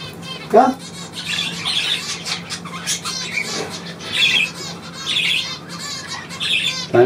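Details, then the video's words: Caged pet bird performing trills on its owner's command: clusters of sharp high chirps and warbles spread across several seconds over a faint low hum. "Hansi trillert auf Komando"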